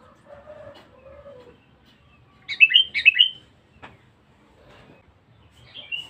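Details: Sooty-headed bulbul, a very vocal and feisty bird, gives a quick run of bright bubbly whistled notes, then a short whistled phrase at the end, with soft lower murmurs before.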